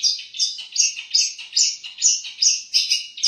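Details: Long-tailed shrike, known for copying other birds' songs, repeats bright high chirping phrases roughly every third of a second, each a quick downward slur with squeaky overtones.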